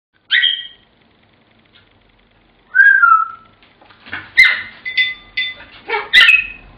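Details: Pet African grey parrot singing Pop Goes the Weasel: a bright rising whistle, a pause, a long falling whistle, then a quick run of mixed whistles and squawky notes, with faint background room noise.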